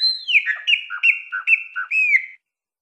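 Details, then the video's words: Wild chopi blackbird, Minas Gerais canto mateiro song: a falling whistle followed by four evenly spaced two-part whistled notes, each dropping in pitch, about every half second, then silence. "Graúna - Canto Mateiro Mineiro"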